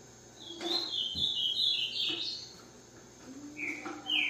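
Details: Green-winged saltator singing a run of clear whistled phrases, slurred up and down around mid-high pitch, with a low rising whistle near the end, over steady background hiss.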